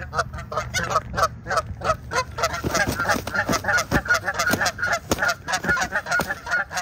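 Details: Canada geese during a brawl between two ganders in March: dense, harsh honks repeated rapidly and overlapping, several birds calling at once, with splashing thuds and scuffling noise through the second half.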